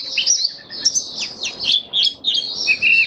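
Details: Mata puteh (white-eye), a caged bird recorded 23 March 2022 while its nutrition was tuned for warm humid weather; a rich, rambling high warble of slurred whistles and buzzy twitters with short breaks.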